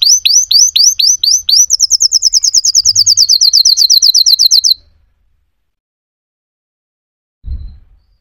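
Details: Singing canary delivering a loud, high series of repeated upslurred whistles, then a faster run of short rising notes repeated about twice a second, ending abruptly; a brief low thump follows after a pause.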